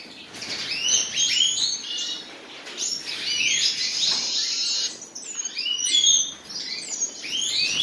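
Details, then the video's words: A pair of common nightingales delivers distinct phrases of sharp downslurred whistles and rapid chirps, separated by short pauses, with swelling and fading bursts of song. "моя пара соловьев"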